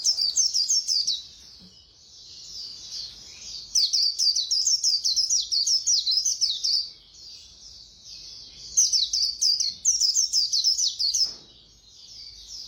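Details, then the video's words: Khuyên líu song of a white-eye, the fast-beaked style: three long runs of rapid, high, twittering notes, each lasting a couple of seconds, separated by quieter gaps with faint continuous high chatter. "Khuyên Líu Hay _ Mau Mỏ _Tốc Độ _Tiếng chim Khuyên Líu"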